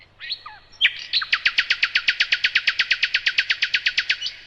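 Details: Nightingale song: a few soft slurred introductory notes, then a loud, steady, rapid series of identical sharp notes lasting over three seconds.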